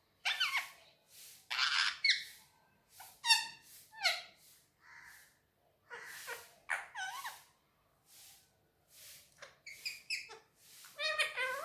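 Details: Pet Indian ringneck parakeet speaking Urdu/Hindi words while on a table, breathy hissing bursts mixed with tonal, wavering syllables in quick phrases, pauses between utterances; indoor setting.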